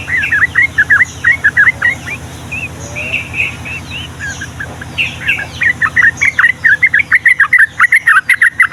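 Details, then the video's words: Yellow-vented bulbul, locally trucukan, in long rapid-fire Ngombak Banyu song for tutoring young birds: quick chattering phrases, a short mellow whistled pause, then an accelerating burst of crisp repeated notes. "SUARA BURUNG TRUCUKAN GACOR ROPEL PANJANG UNTUK MASTERAN DAN PANCINGAN TRUCUKAN PAUD"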